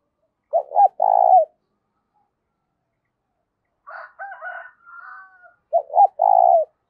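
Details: Spotted dove coo for stirring up decoy doves, strong and clear with little noise: two phrases of paired short notes and a long trembling coo, separated by a softer, higher, broken wavering passage.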